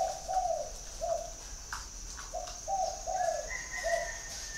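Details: Spotted dove at a dove garden near Hanoi, Vietnam, repeating low, round coo notes in quick pairs. Near the end another bird gives a thin, higher whistle over a steady high hum.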